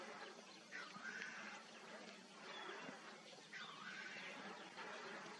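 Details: Black grouse cocks displaying at a lek in Upper Bavaria in 2023: a steady low bubbling murmur broken by harsh, hissing rushes, with several birds overlapping.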